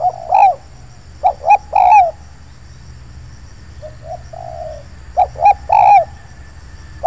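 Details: Spotted dove at an oil palm plantation, during decoy luring near an old hut: soft, mellow coos, two short notes then a longer drawn-out coo, repeated twice, with a quieter coo between.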